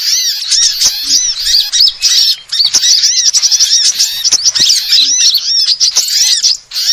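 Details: Sunbird calls used for luring: an excited, continuous stream of shrill twittering and arched squeaks, densest in the middle, with a short dip before the end.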